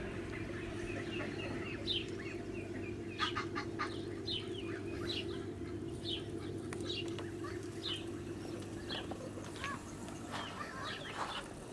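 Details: Blue Muscovy duck with her ducklings on a farm, 8 July 2017: a busy run of high, thin peeps and chirps, several overlapping, with short bursts at the start and scattered calls later over a steady low hum.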